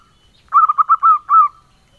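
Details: Male zebra dove of local stock, engkel song style: a brisk cluster of short, clipped coos runs into two longer, rounder hooting notes before fading to silence.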